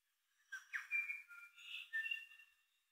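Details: A New Zealand bellbird in June 2023 in the Maungakotukutuku Valley, Kapiti, sings a two-second phrase of clear, ringing, bell-like whistles, a quick downslurred note then liquid notes; ends with a characteristic three-note call.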